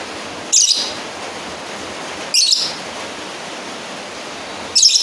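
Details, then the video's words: Lovebird calling a rival with three brief, shrill, high chirps spaced roughly two and a half seconds apart, steady hissing noise underneath. "Suara Asli burung lovebird Manggil lawan"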